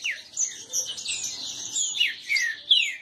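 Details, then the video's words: Several caged male green-winged saltators disputing, an overlapping burst of bright whistled notes, many slurring sharply downward, stacked densely in a continuous high chorus with short louder peaks. "Esquente seu trinca ferro disputa e baderna"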